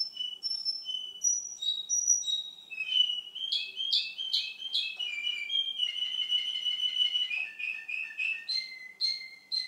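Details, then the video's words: Male Russian canary recorded two months later: spaced high whistles give way to sharp rising chips, a long soft rolling trill at mid pitch, then lower drawn-out whistled notes. "RUSSIAN CANARY-РУССКАЯ КАНАРЕЙКА"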